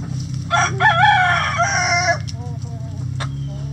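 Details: A rooster in a chicken coop gives a loud, ragged, harmonic crow lasting nearly two seconds, then short clucks from hens follow over a constant low mechanical hum.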